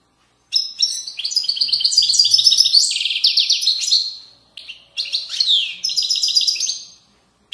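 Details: European goldfinch singing in the authentic Moroccan widani style from riverside valleys: two long bursts of rapid, bright, high twittering with trills and buzzy rolled notes, separated by a short pause.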